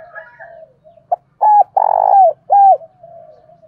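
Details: Spotted dove kept as a lure bird to goad rivals into calling; softer cooing gives way to one loud phrase: a short note, two hooked notes, a long grating note, then a final hooked note.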